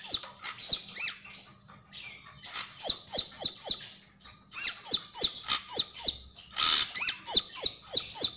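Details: Song of the Javan grey-throated white-eye delivered gacor and ngobra: fast series of piercing high notes that drop sharply in pitch, several times a second, with a short burst of hissy noise midway.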